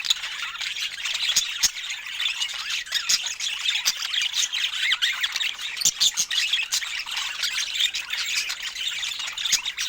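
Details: Pet budgerigars eating fruit produce a long, unbroken high-pitched chatter of buzzy warbles and sharp ticking clicks, steady in loudness.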